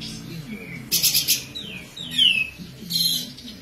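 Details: Kapas tembak bird in besetan style, suited as song tutor for magpie-robins and green leafbirds: a rattling burst of fast buzzy notes, then drawn-out falling whistles and a final softer chatter, with faint low warbling behind.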